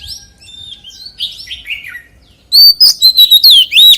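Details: Forest-style white-rumped shama song, soft descending whistles at first, then a sudden loud burst of fast, varied whistled and trilled phrases.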